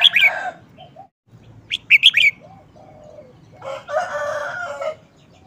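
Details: Red-whiskered bulbul singing short phrases frequently: a quick group of four ringing whistled notes near the middle, framed by loud rustling, fluttering bursts at the start and end, plus a low background hum.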